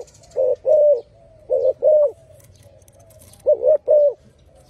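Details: Low cooing song of a spotted dove, three paired phrases of a short note followed by a drawn-out falling coo, spaced about a second and a half apart, over faint background noise.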